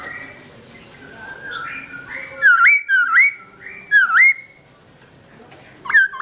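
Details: Black-throated laughingthrush (Garrulax chinensis), a pet bird singing melodiously while its owner is away: after soft warbling, three loud clear whistled notes rising and falling in quick succession, then one more whistle after a pause.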